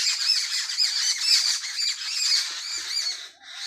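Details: Loud, close flock of sparrows at dawn in a village, a steady wall of shrill, overlapping chirps that fades briefly near the end.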